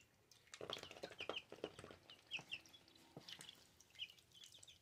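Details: Two-week-old baby ducklings kept as pets give thin, high peeps in short bursts of two or three, mixed with soft low clucking and scattered clicks and taps.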